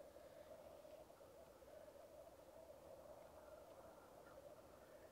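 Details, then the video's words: Black grouse at a lek: a steady, low bubbling coo rolls on without a break, several males overlapping in one murmuring chorus, with faint higher notes above. "Black Grouse lek"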